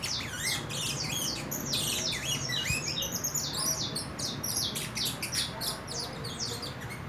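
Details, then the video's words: Young saffron finch of four months, heading into moult, producing a jumbled stream of high chirps, squeaks and ticks, varied and overlapping rather than evenly spaced. "CANARIO DA TERRA Querendo estalar"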